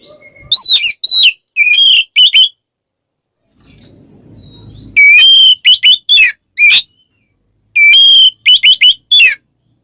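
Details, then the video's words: Oriental magpie-robin (Kacer) singing in ngeplong style, calling a rival: loud clear whistled phrases with sharp slurred notes in bursts, a pause with faint low rumble, then more ringing whistles. "suara burung Kacer NGEPLONG memanggil lawan bikin Kacer lain EMOSI"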